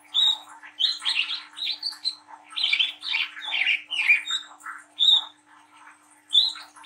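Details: Young spotted Brown-throated sunbird singing as a lure for young birds: lively mix of clear whistled notes and rough scratchy chatter, then sparser whistles after a quieter stretch.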